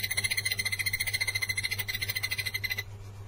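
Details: Blue-eared barbet, recorded 9 January 2021. Fast train of clipped, pulsing notes, roughly three to four each second, at one steady pitch for nearly three seconds before stopping abruptly, with a low steady hum beneath.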